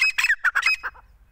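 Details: Brief burst from a hand-held fighter grey francolin: several loud, harsh, clipped notes in quick succession, trailing off into two softer notes.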